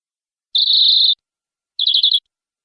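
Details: Canary song with a sustained, high, slightly warbling whistle, a pause, then a short quick rattle of several notes.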